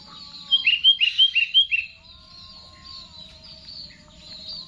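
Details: Sooty-headed bulbul (kutilang) in full "Garuda" song: a quick run of five loud, clear, downslurred whistled notes, followed by softer high twittering and a faint low whistle in the background.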